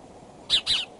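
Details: Bald eagles at the Decorah nest, morning of 2 February 2012 at 9:30, seriously courting with much calling from the branches: two short, high, squeaky chirps in quick succession over faint background hiss.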